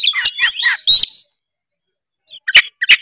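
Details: Tretes kacer, an oriental magpie-robin, in lively song meant to stir other birds to sing: a dense rush of chirps and whistles, then a second-long silence before short sharp notes return.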